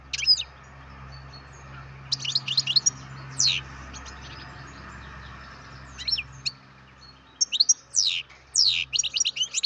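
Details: Captive-bred goldfinch chick calling in scattered clusters of sharp, high tweets, louder toward the end, over a continuous low humming background.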